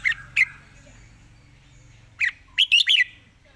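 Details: Red-whiskered bulbul singing in a fast, rapid-fire style: two short whistled notes, a pause, then a quick bubbly burst of three or four chirpy notes, over a low background hum.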